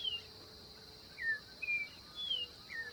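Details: Orange-backed troupial, a Brazilian bird, giving a few clear whistled notes that slide downward, with gaps between them, against a steady high insect hum.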